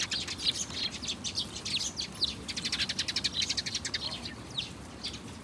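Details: House sparrows giving busy, high, short chirps in quick irregular runs, several birds overlapping, with a soft low background hum.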